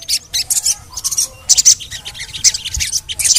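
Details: High, scratchy chirps come in short bursts from a sogon played to coax other sogon birds into calling. Pauses between bursts are brief and there is a faint low background hum.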